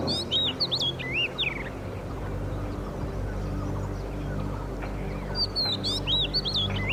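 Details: An oriental magpie-robin sings two bursts of varied, sweet, rising and falling whistled phrases in oak and rhododendron forest in Madhmaheshwar Valley, Uttarakhand, in summer during a morning walk, over a low hum and faint music.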